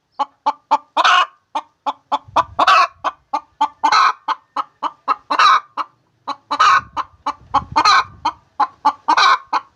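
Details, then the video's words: Hen giving her egg-laying cackle: a dense, fast run of short clucks punctuated by several long harsh squawks, with some low thumping noise underneath. "The Sound of a Hen Laying Eggs"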